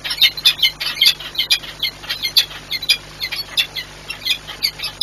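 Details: Peregrine falcon at a nest site at the Orlen refinery, Płock, Poland, 10 March 2022, as a falcon arrives bringing a gift (prey): harsh, high, scratchy notes in a rapid uneven series, several each second, with a faint steady hum behind.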